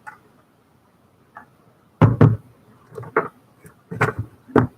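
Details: Only a few dull knocks and thuds in a small indoor room are heard, with no animal voice.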